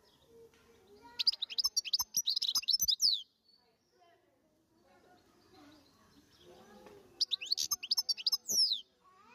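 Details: Wild European goldfinch song in two bursts: rapid, high twittering and liquid trills, broken by a pause filled with faint low voices in the background, then a second twittering phrase ending in a descending note.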